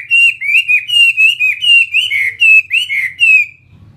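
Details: Chinese hwamei, a fighting-type bird from Vietnam, delivers around ten loud arched whistles in an even string, each swelling and bending down, before stopping abruptly.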